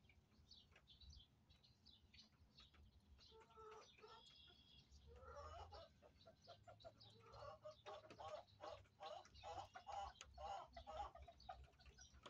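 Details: Backyard hens clucking while eating and relaxing in their homestead coop; a busy run of short, rapid clucks building in loudness after the midpoint, with pecking clicks, a brief flutter of wings and low background hum.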